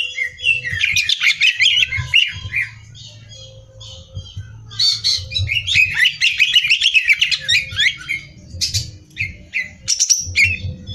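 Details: Greater green leafbird in a hot, competition-ready song: long dense bursts of fast chattering, twittering and squeaky notes, separated by brief quieter gaps, with faint hum below.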